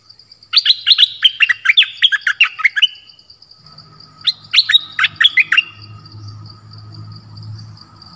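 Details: Streak-eared bulbul delivering two bursts of rapid, sharp downslurred notes, about ten in the first run and five in the second, over a steady high hum and low rumbling background.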